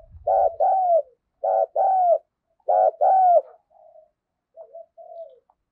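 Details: Fight-provoking calls from a spotted dove used as a decoy for luring and training: three paired coos, a burred note then a longer falling one, fading into soft trailing coos, with a brief low rumble at the start.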